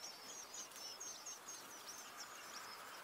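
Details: Red-backed shrike at a nest while adults feed nestlings: a rapid series of thin, high, squeaky calls, about four per second, irregular, over a steady background hiss.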